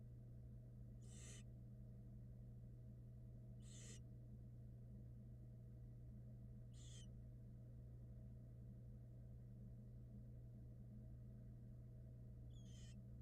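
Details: Barn owl chicks in a Florida nest box being fed, with a nestling gulping down a rat. Four rasping, noisy hisses sound at uneven gaps of about three seconds against a constant low hum.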